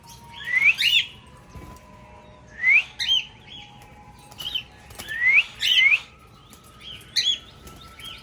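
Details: Tamed pet cockatiels singing together as a family: short bright chirps with sweeping, harmonic-rich notes come in clusters of two or three, separated by pauses of about a second, over a faint steady background hum.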